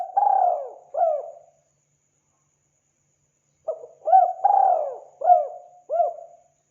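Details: Spotted dove lure call for wild birds; a brief coo pair, a long silence, then a full phrase of short and drawn-out mellow coos.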